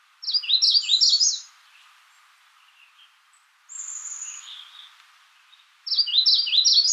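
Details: Two bright phrases of rapid, high, slurred notes from a Magnolia warbler, opening and closing the recording, with a thin drawn-out whistle and soft chirps between them.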